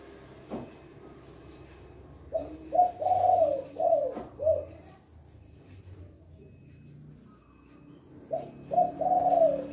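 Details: Male spotted dove with a big, loud voice, 'kuk 2' style, recorded as a training model: a phrase of five hoarse, mellow coos with a brief pause and an upturned ending, then quiet, then a second phrase begins; faint clicks in a small room.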